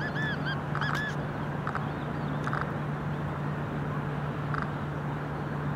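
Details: Ruddy shelduck, the Brahminy duck, in Cyprus in 2021, giving a few short nasal honking calls in quick bursts near the start and once more later, over a steady low hum and background noise.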